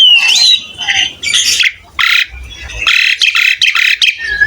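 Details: Asian pied starling in energetic gacor song, recorded as a tutor for other starlings: a wavering whistle opens, followed by loud, broad, harsh squawking bursts separated by short pauses, with a faint low rumble.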